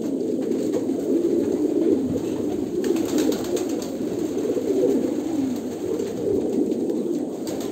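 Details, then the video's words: Low, bubbling coos of a group of Kolkata pigeons blend into a steady throaty chorus, interrupted by brief scratchy rustling around the third second. "kolkata pigeon"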